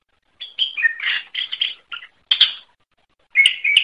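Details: Greater green leafbird singing short chattering and whistled notes in quick clusters, separated by brief silences; a recording offered to train songbirds.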